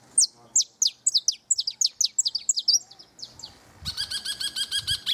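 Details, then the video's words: A canary near its nest sings rapid high descending notes, then switches to a buzzy, rolling trill with rich overtones. "O canto do Canário perto do ninho"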